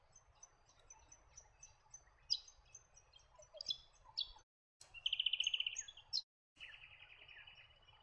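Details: White-eared Monarch calling: scattered sharp, high chirps and clipped notes, then a loud, even buzzy rattle lasting about a second. After a brief silent break, a softer rasping buzz follows over faint background rustle.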